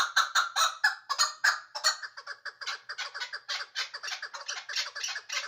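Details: At Ishkoshim a chukar partridge calls in a fast, rolling chatter of raspy chuck notes, loud and ringing at first, then denser and quicker, close to four notes per second.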